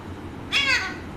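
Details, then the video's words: ['Chatty pet Alexandrine parakeet letting out a single sudden harsh, broadband squawk of about a third of a second, crow-like in tone, over steady low household noise.'] "Chatty Alexander Parrot Talking"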